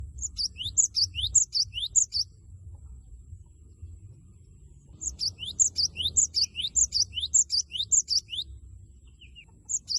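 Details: Java sparrow (gelatik batu) singing loudly to provoke a rival into singing: two bursts of rapid high chirps and descending whistled notes, a wucit-wucit pattern repeated in quick succession, separated by a pause, with faint low background hum.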